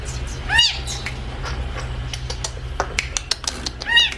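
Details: Long-tailed shrike, kept as training audio for other songbirds, giving loud nasal squawks with arched, rising-falling tones, one near the start and one near the end, with scattered dry clicks and a low hum between them.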